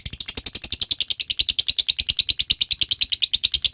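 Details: Ngekek trill of a lovebird, a lure sound for training birds to trill long: a fast, even stream of shrill chattering notes, roughly eight a second, running without a break.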